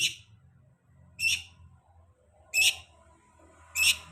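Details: Long-tailed shrike utters loud, single harsh rasping notes spaced a little over a second apart against a quiet low background hum.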